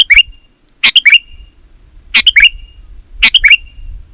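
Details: Sooty-headed bulbul, played to make other bulbuls answer: three loud bright phrases of quick chirped notes ending in short whistles, roughly one per second, with a low background rumble.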